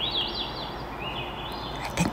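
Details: Swainson's thrush song in a Vancouver, British Columbia forest in spring: faint, airy, breathy fluting phrases spiralling upward, over steady background hiss, with a brief knock near the end.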